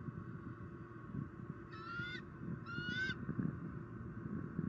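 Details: At a Southwest Florida bald eagle nest during an afternoon squirrel delivery in October 2019, the female calls: two high, piercing, rising whistled notes roughly a second apart, with rumbling low background noise throughout.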